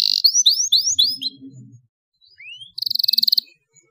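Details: Canary song played to teach young canaries: a run of downward-slurred whistles, one rising whistle, then a short rapid high trill, with faint low background noise.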